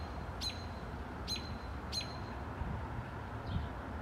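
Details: A wild Red-tailed hawk, a tagged male returning for raw chicken and possibly feeding young, gives a begging call: three short, sharp, high squeaky calls about a second apart, over a steady low background rumble.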